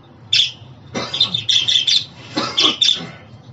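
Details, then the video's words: Budgerigar chattering in a busy run of warbled, buzzy notes mixed with a few harsher, broader squawks, the sequence lasting about three seconds. "Muhabbet Kuşu Sesi, Kuş Sesi! Muhabbet kuşu ötüşü, muhabbet kuşu çağırma sesleri!"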